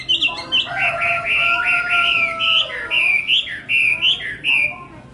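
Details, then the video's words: Hwamei singing a continuous run of rich whistled phrases, loud slurred notes rising and falling in quick succession, about one phrase each second, with a faint lower harmonic line beneath. "tiếng hót hay nhất của chim họa mi phần 2 | The beautiful song of the nightingale part 2"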